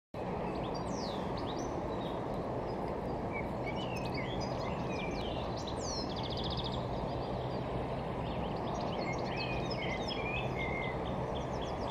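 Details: European goldfinch singing high in a wind-swayed tree at Holten, Netherlands, 21 June 2019: quick tinkling twitter of high notes with a brief buzzy rattle, over a steady low roar of wind or distant traffic.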